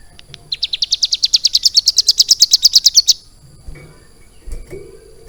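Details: Hill prinia kept in a cage and trained about three months on lovebird song sings a quick rattling trill. Soft ticks lead into bright, high notes repeated around three per second, ending abruptly after about two and a half seconds. Light knocks follow.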